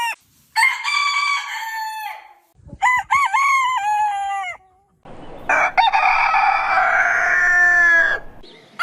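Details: A rooster crows in the morning, a long falling harmonic call, then a wavering broken crow, then a rougher, noisier drawn-out crow ending abruptly.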